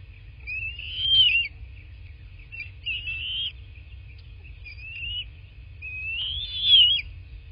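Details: Bald eagle at its nest in a rural landscape in southwest Florida, recorded by a nest camera on 8 March 2024 around 11:00: four thin, high whistled notes that rise and fall, spaced about two seconds apart, over a low rumble.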